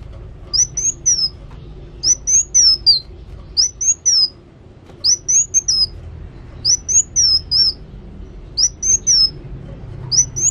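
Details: Energetic song of a kolibri wulung sunbird: short high whistled phrases, each a wavering run of thin sweet notes, repeated roughly every second and a half with brief pauses between.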